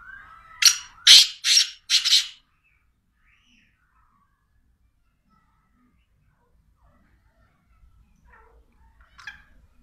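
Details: Black francolin, known locally as teetar, gives a burst of four loud, grating, scratchy notes in under two seconds, the first slightly longer, then near silence with a faint distant note at the end.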